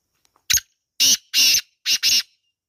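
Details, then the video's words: Wild black francolin call in natural surroundings: a sharp opening note, then four harsh, scratchy, broadband notes grouped in two pairs, the whole series lasting under two seconds against near silence. "Kala Teetar Ki Awaaz | Real Wild Black Partridge Sound | Jungli Teetar Calling"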